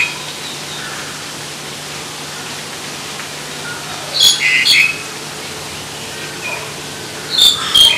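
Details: Black-collared starling uttering two bursts of loud, sharp, squeaky whistles and chatters separated by several seconds of quiet background hiss.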